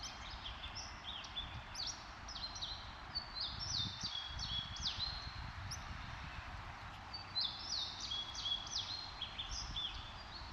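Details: Downy woodpeckers fighting in Lake County, Illinois, on 8 May 2025 trade sharp, high chirping notes in quick overlapping bursts, over a low steady rumble of background noise.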